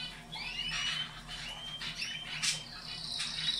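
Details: Canary song for caged canaries, played to encourage breeding: faint, thin whistled notes and short sliding phrases at high pitch, strung together almost continuously for several seconds over a soft low background hum.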